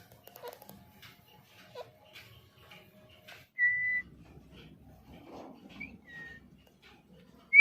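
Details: Pet talking parrot giving a loud, steady, clear whistle held for about half a second, followed by short faint whistled notes and a final rising whistle, over quiet indoor background rustle.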